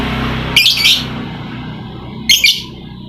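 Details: A lovebird used to provoke silent lovebirds into song gives two bright, shrill, twittering bursts about two seconds apart, each slightly doubled, with a faint low hum behind.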